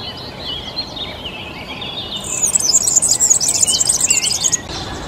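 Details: European serin singing: a rapid, dense, high-pitched jingling trill of fizzy, tinkling notes that bursts in after a couple of seconds and runs for about two seconds. Before it, a softer, lower chirping warble is heard, with steady background hiss throughout.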